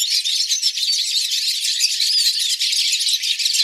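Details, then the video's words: Chorus of hooded siskins singing in a flock, live recording: unbroken, loud high-pitched twittering with scattered slurred whistles woven through the chatter. "Pintassilgos cantando em bando"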